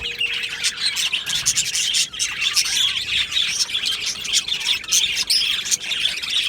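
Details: Budgie colony in an aviary singing on 22 June 2025, a rolling, unbroken chatter of chirps and soft warbles from a crowd of birds, rising and falling in loudness.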